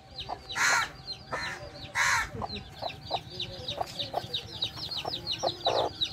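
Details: Baby chicks peeping continuously around their mother hen, who gives short low clucks at irregular intervals; several loud, harsh bursts stand out over the steady high cheeping.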